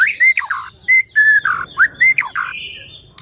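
White-rumped Shama singing a rapid, varied run of clear whistles mixed with harsh, buzzy chattering notes, about a dozen phrases in three seconds.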